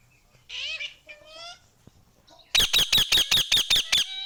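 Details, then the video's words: Tame pet Indian ringneck parrot, said to talk and say mummy papa: brief voice-like harmonic phrases give way to eight loud, harsh, broadband screeches in quick succession, about five per second. "parrot talking।। मम्मी papa बोलने वाला तोता"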